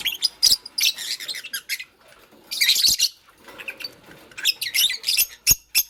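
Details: Green Fischer's lovebird kept with a pastel bird, chirping while making a nest in the morning: bursts of sharp, high, squeaky chirps in clusters, with short quiet gaps between.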